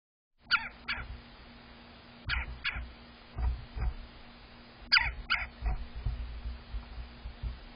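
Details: Red-bellied woodpecker eating suet in a backyard, giving short, harsh clipped notes, often in pairs about half a second apart, over a steady low hum.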